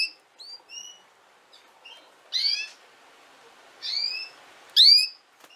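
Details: Female canary giving short, bright chirps that sweep upward with layered overtones, spaced irregularly with quieter notes between, in a calm indoor setting.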